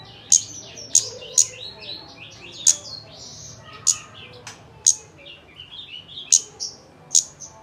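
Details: Kemade song played as a lure to get another bird singing: loud, piercing high chirps at uneven intervals of about half a second to a second, with busy, lower twittering phrases between them.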